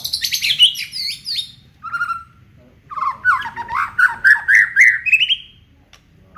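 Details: Aceh-type white-rumped shama displaying its repertoire in full song: rapid high chattering notes, a short clear whistle, then a run of looping slurred notes that climbs in pitch to a high finish.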